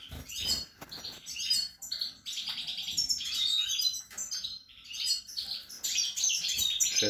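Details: Caged European goldfinch beside a nest with young, late March 2020: dense high twittering and chattering notes delivered almost continuously, with occasional clicks and low background noise.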